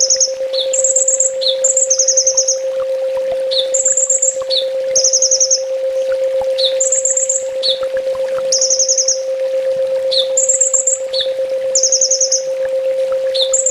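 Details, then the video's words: Ninja sunbird master song played for training caged sunbirds, full tembak style: a regular cycle of high twittering trills and short dropping notes repeated every two seconds or so, steady low hum behind. "Suara masteran burung kolibri ninja full tembak"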